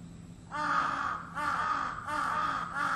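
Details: Early-morning crow, heard daily from 4 a.m., uttering four hoarse caws in close succession, each drawn out and harsh, against a faint steady hum.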